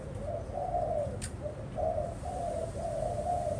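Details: Spotted dove kept as a pet bird, giving soft, drawn-out low coos in a short series of four or five notes over a faint steady hiss.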